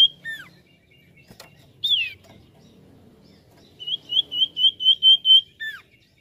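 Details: Song of a common iora played as a lure: scattered downslurred whistles, then a steady trilled whistle of about seven pulses ending in a falling note.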